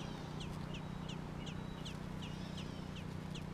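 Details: Baby American robins in Georgia call with clear, repeated high down-slurred chirps, nearly three a second, with thin whistled notes between them and a low hum below.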